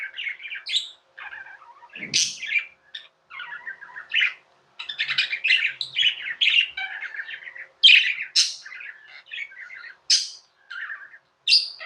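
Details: Steady budgerigar chatter fills the room, a mix of sharp high tweets and lower gurgling, buzzy notes delivered in rapid uneven bursts over about twelve seconds.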